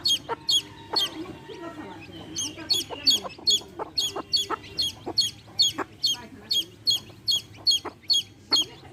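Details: A hen and her baby chicks; the chicks give rapid, shrill, evenly spaced chirps, a brief pause early on, then continuous peeping over quiet low clucks and light background noise.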